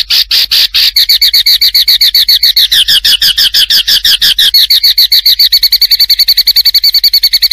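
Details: White-rumped shama master song for training: a fast, steady stream of repeated sharp chattering notes with a strong tone held throughout, the rhythm speeding slightly toward the end.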